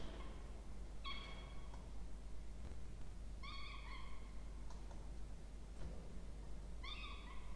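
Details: Two Peregrine falcon chicks at a nest box in a water tower at Charles Sturt University, Orange, New South Wales, Australia, 20 October 2024, during feeding; three drawn-out, slightly wavering harmonic wails spaced about three seconds apart over low rumbling background.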